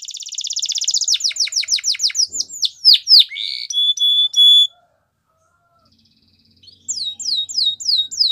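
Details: Belgian canary song for training: a fast buzzy trill, descending whistled sweeps, a sustained clear tone, a pause of near silence, then renewed rapid downward slurs.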